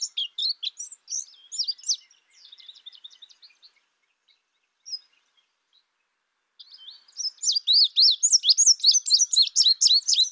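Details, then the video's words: Indigo bunting: high, thin twittering notes in a quick series, a silent gap of about three seconds, then a louder, faster run of sharp chirps repeated several times a second. "Indigo bunting sound | call"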